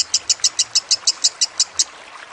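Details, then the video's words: Lovebird chirping for a master track with water sounds: eleven crisp, high, evenly spaced chirps at about six per second, then the series stops abruptly. "Masteran Lovebird Kusumo + Gemercik Air Lebih Cepat Masuk"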